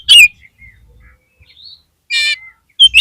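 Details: Caged oriental magpie-robin singing to lift a bird's flagging spirit: loud buzzy harsh bursts at the start and around two seconds, with soft thin whistles between, ending in sharp chattering notes.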